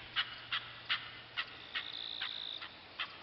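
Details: A chukar, one of a small flock in the rocky mountains of Armenia at about 3,000 m around dawn, gives about eight sharp, clucking notes in three seconds at an uneven pace, with a thin steady high tone briefly in the middle.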